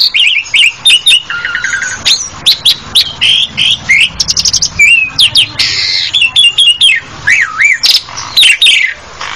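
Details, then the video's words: Asian pied starling pours out a nonstop, varied medley of clear whistles, rising and falling slurs, dry rattles and harsh buzzy notes, with no other sounds. "SUARA JALAK SUREN"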